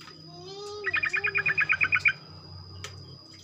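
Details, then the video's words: Morning song of a sooty-headed bulbul meant to spur others to sing: a quick run of about ten chattering, bubbly notes lasting roughly a second, over low background hum and a faint lower whistle. "ocehan trucuk pagi hari, merangsang trucuk lain ikut bunyi ropel"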